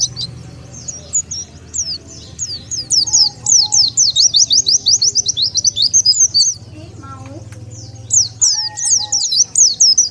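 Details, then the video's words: Oriental white-eye lure sound for gathering wild birds: fast, restless high chirps, around four per second, in two long runs split by a short gap, with a low hum underneath. "SUARA PIKAT BURUNG PLECI"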